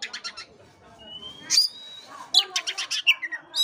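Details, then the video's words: Kacer, or Oriental magpie-robin, singing a lure song meant to rouse a sluggish bird: a few quick chirps, a long thin rising whistle, then a dense run of sharp clipped notes and short whistles. "pancingan kacer jitu dan ampuh buat kacer loyo kurang ber gairah"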